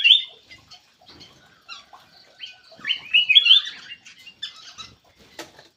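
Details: Lure call of a black-crested bulbul, opening with a loud sharp whistled note, then scattered chirps building to a rich, liquid warbling phrase in the middle, followed by quieter twitters and a faint click.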